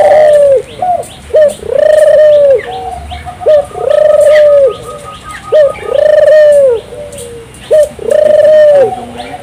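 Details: Turtle dove in vigorous song to get local doves singing: four or five steady phrases, a clipped introductory note followed by a long, smooth, low coo, repeating about every two seconds, with soft high bird chirps in the background.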